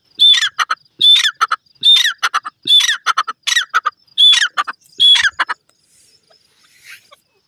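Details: Grey francolin (desi teetar) calling in its natural surroundings: loud, harsh, squeaky phrases repeated roughly every 0.8 seconds, seven bursts in a row, each with a high ringing note and quick trailing clicks, then quiet at the end.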